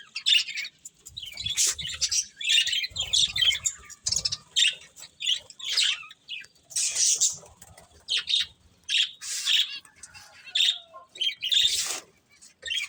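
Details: Budgies give separate bursts of sharp chirps and raspy warbles with short silent gaps between, plus occasional soft low rustling.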